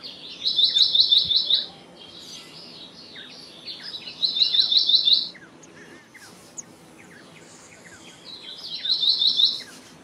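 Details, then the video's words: Black-naped monarch, or black-naped blue flycatcher, gives three bursts of fast, high, ringing notes, each of about eight to ten quick identical notes, with pauses of roughly two seconds between bursts. Scattered soft chirps come from other birds. "Black-naped Monarch Song! Black-naped Monarch Call! Black-naped Monarch Sound"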